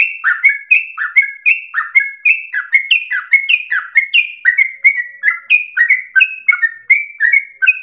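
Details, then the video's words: Chatty yellow-vented bulbul singing a long rapid song that recalls a straw-headed bulbul: bubbly whistled notes, mostly falling, roughly three per second for nearly eight seconds, alternating higher and lower pitches, clean background. "Trucukan gacor ropel panjang narung suara berasa cucak Rowo"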